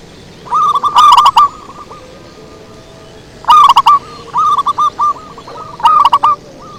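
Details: Zebra dove lure song used to attract wild doves: three loud bursts of quick, clipped cooing notes, each a stuttering run of five or six, about three seconds apart, with fainter answering coos from other doves between them.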